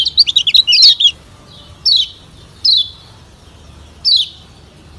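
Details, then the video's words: A Lombok yellow white-eye (kecial kuning), used as a lure call, gives a quick, high twittering burst, then three thin, downslurred whistles spaced about a second apart. "Pancingan Kecial Kuning"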